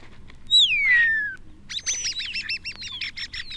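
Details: A starling in a British woodland on a still, warm January day flies to a perch and sings: a long, slurred descending whistle, then rapid buzzy, clicking bill rattles several times a second, with a thin whistle over them.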